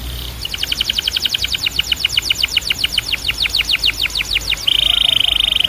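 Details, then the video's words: Canary song: a steady train of quick repeated down-slurred notes, about three or four per second, ending in a sustained buzzy rattling trill. "Ultimate Canary Singing Compilation"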